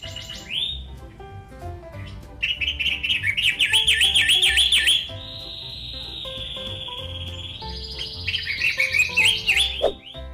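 Cendet matahari singing rapid, warbled whistles that swoop up and down, then a long steady whistle and another burst of quick trills, over soft background music.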